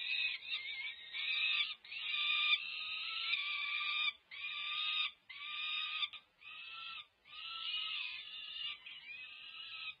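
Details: Food begging by five-week-plus peregrine falcon young at a Berkeley, California nest during feeding, May 2023; loud raspy screams roughly one per second, each about a second long with brief gaps.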